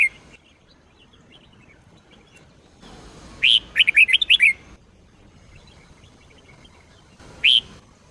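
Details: Sông Kôn style red-whiskered bulbul, used as daily training song: after a quiet stretch, one sharp phrase of quick sweet whistled notes, later followed by a lone bright note, otherwise quiet.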